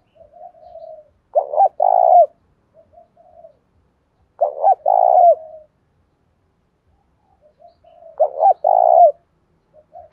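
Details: Spotted dove cooing in 'đồng pha' style to spur caged birds into song and fighting; three phrases roughly every three to four seconds, each soft notes then a loud doubled coo.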